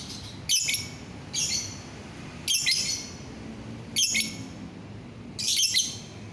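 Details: Lovebird, 9 December 2021: five harsh, shrill high screeches at uneven intervals of roughly one second, each short and buzzy, over faint background hum.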